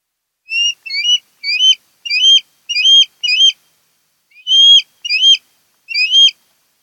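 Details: Wild osprey pair at a nest on Kent Island, Maryland, on a conservancy nest cam on 08-10-2018: a series of high, clear whistled chirps, each sharply upslurred, in short bursts with a longer pause midway. No other sounds.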